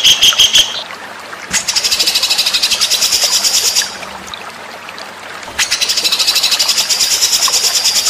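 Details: White-rumped shama master song used to train competition birds: a clear whistled phrase opens, followed by two long, fast, buzzy high trills separated by a quiet gap.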